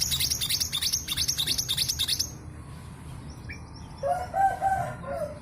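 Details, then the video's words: Two seconds of fast, piercing, stuttering chirps from a local East Javan female long-tailed sibia, a lure bird meant to trigger song in males. Afterwards a lower, softer warbling note from another bird is heard. "MANTENAN GUNUNG GACOR"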